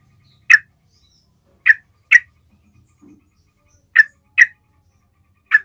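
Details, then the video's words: Basic call of a yellow-vented bulbul, the kind played to draw in other bulbuls: six crisp, clipped chips spread over several seconds, some paired, some single, with a faint low rumble underneath. "SUARA PANGGILAN DASAR SEMUA JENIS TRUCUK"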